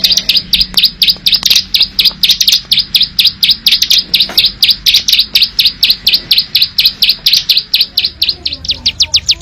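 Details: Plain Prinia, natural wild recording, its ngebren song loud and clear: a continuous, rhythmic stream of high, crisp ticking notes, roughly two a second, that speeds slightly near the end. Faint low background hum.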